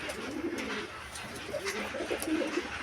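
Domestic Giribaz pigeons give soft, low, throaty coos in short rolling bursts.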